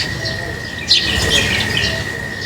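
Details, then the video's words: Birds chirping while being fed: a cluster of short, high, thin chirps in the middle, over a steady high-pitched hum in the background. "Feeding birds, their chirping is very relaxing"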